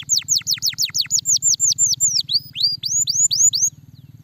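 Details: Canary singing, used to encourage a lazy canary to sing: rapid repeated downward-sweeping whistles, then rising and falling slurred notes repeated in a steady rhythm, with a faint low hum beneath.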